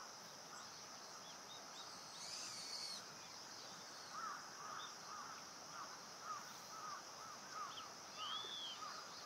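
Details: Indian pratincole on Amami Oshima, Japan: many short, arched, chirping call notes repeated irregularly, sometimes in quick pairs, fairly faint, over a constant high insect-like hiss and outdoor ambience.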